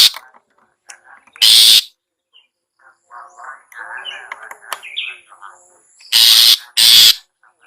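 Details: Long-tailed shrike in ngetet style, a lure to get reluctant caged shrikes singing: three loud harsh rasping bursts separated by a stretch of softer, varied chattering and twittering notes.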